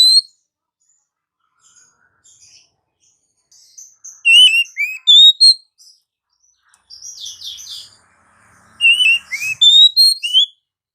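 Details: Oriental magpie-robin singing in the morning: varied phrases of sweet whistled notes, quick chirps and short twittering trills in rapid bursts, with pauses between phrases.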